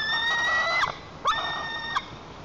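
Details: White-tailed eaglet in a nest in Lower Kama National Park, Tatarstan, July 2023, in a tantrum guarding the nest from its perched mother; a long sustained harmonic scream, then short sharp yelps.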